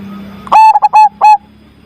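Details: Loud-voiced zebra dove giving one song phrase: a short lead coo followed by a quick stuttering run of clipped, rolling coos and a final drawn-out note, over a low background hum.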